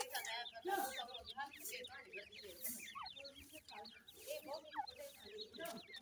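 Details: Several black francolin chicks peep continuously in a dense, overlapping chorus of short high chirps, with a few louder upslurred notes standing out and soft background murmur and rustling.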